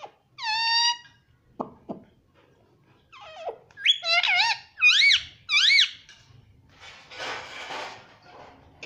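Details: Pet ringneck parrot kept indoors, talking and said to say "mummy" and "papa": squeaky, harmonic syllables, then a run of four rising-falling, bending notes in quick succession, ending in a soft hissing rustle.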